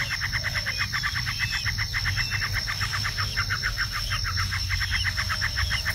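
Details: Bar-winged prinia (Prinia familiaris, Javan "ciblek"), an agile bird, song: a fast, even series of sharp chirped notes, about six per second, over a steady high insect whine and low background rumble.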